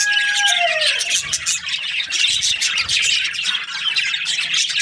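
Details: Budgerigars in an aviary, kept as breeding pairs, keep up a loud chorus of chirps and squawks; a clear falling whistle opens the clip before the busy twittering continues.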